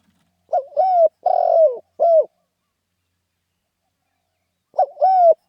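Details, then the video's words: Spotted dove cooing in the rousing 'khan yon' style. A complete phrase has a short note, a long coo, a rough vibrating coo and a closing coo. A long pause follows, then the opening of the next phrase. Quiet setting. "เสียงนกเขาใหญ่ เสียงขันโยนเร้าๆ"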